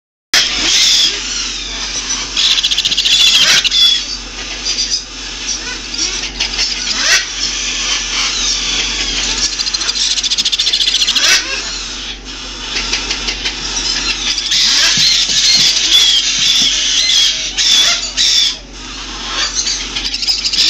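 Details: Young sun conure chicks still in the nursery screeching together in a harsh, continuous, high-pitched chorus.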